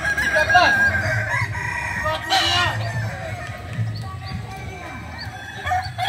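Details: Many kukuak balenggek roosters crow over one another during competition training at AMKO, with stacked, wavering crow syllables, a brief harsh burst near the middle, clucks and a continuous low hum.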